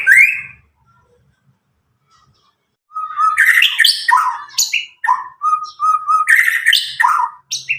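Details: Nine-month-old white-rumped shama of Medan stock, just out of juvenile plumage, sings after a short opening note and silence: bursts of mixed whistles, harsh chatters and repeated flat whistled notes, loud and bright.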